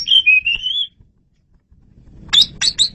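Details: Asian pied starling song for luring birds: a drawn-out wavering whistle, a pause, then three sharp high chattering notes over low background noise.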